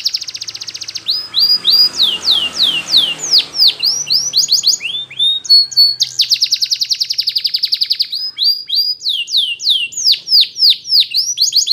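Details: Training song of a Belgian canary: a steady trill opens, then falling whistled notes repeated about twice a second, a long rapid rattle, and further sweeping whistles, with faint low rumble early on.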